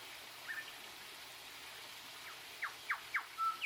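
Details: Australian grey shrike-thrush giving a short whistle, a pause, then three steep down-slurred whistled notes about every quarter second, a level whistle and a final upswept note, over faint low traffic rumble.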